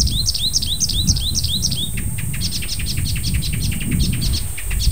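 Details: Icterine warbler singing in early July, a migrant that stayed several days: a series of rising hooked whistles repeated rapidly, followed by a jumble of sharp high clicks and chips, over continuous low rumble and high steady whine.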